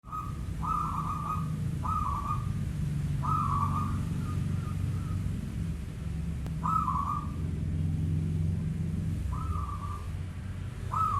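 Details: Local zebra dove calling at night: soft, trilled cooing phrases, each under a second, repeated about six times at uneven intervals over a steady low rumble.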